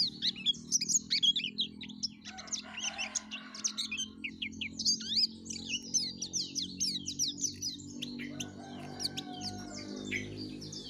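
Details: Yellow-breasted white-eye in energetic full song, used to draw out other white-eyes: a dense stream of high, quick chirps and slurred notes with brief pauses, over a steady low background hum.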